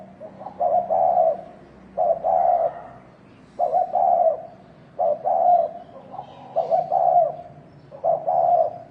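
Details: Spotted dove giving thổ đồng style cooing meant to rouse males to fight: low, mellow cooing phrases, each a short note leading into a longer hooting coo, repeated about every one and a half seconds over steady faint background hum.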